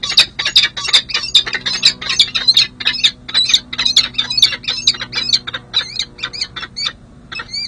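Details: Peregrine falcon pair bonding at a city hall nest site in San Jose, California, mid-July 2024: fast, continuous harsh chattering notes, several per second, easing into separated upward-flicking chips.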